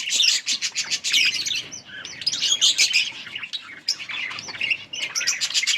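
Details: Beautiful yellow budgies chirping together in a busy, continuous warble of rapid scratchy chirps and high squeaks, with a short lull midway before the chatter picks up again.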